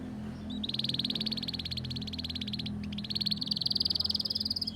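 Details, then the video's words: Canary ngriwik-style tutor song for young birds learning to sing: a long, fast, buzzy trill breaks briefly, then returns slightly rising and louder, over a low background hum. "Masteran Kenari Paud Belajar Bunyi Ngriwik, Pancingan Kenari Muda Agar Bunyi Gacor"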